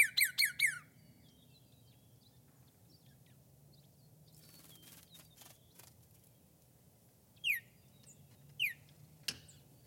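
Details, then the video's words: A cardinal outdoors, recorded from a window with grackles nearby, sings a quick burst of three loud, down-slurred whistles, then two more clear slurred notes after a pause, over faint clicks and a low rumble. "Cardinal Singing"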